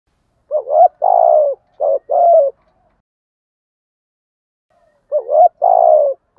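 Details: Spotted dove giving a driving 'thúc gù' coo meant to stimulate wild doves: three low two-part phrases, a short wavering note then a longer falling coo, the last after a four-second silence.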